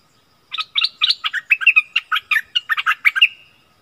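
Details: Wild striated bulbul argument, recorded 8 February 2021: a steady string of some fifteen quick, bubbly chattering notes, evenly spaced, ending in a trailing whistled note.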